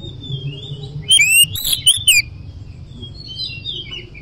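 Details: Oriental magpie-robin singing 'ngoceh gacor': a soft drawn-out whistle, then a short loud run of four ringing, downslurred notes, followed by quieter warbling whistles against a low background rumble.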